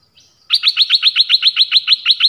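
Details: Dok taeng songbird singing many song phrases, here a fast, even trill of bright, sharp notes, about six per second, after a soft lead-in.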